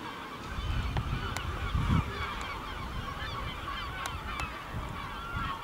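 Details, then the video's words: A gull colony calling over a village in Ortegal until nightfall: a thick wash of short mewing and squealing notes, with a few sharp clicks and a low rumble beneath. "Gaviotas pueblerinas ?? en el Ortegal hasta caer la noche"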